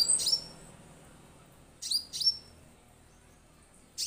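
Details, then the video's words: Lure recording of an orange-headed thrush meant to prompt other birds to sing straight away. Piercing high down-slurred notes appear in short bursts, a pair near two seconds, with quiet gaps and a faint hiss between. "suara untuk pancingan damer agar langsung bunyi"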